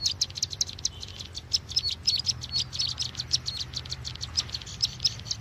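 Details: Bar-winged prinia lure call for trapping: quick uneven series of high sharp chirps throughout, over a low background hum.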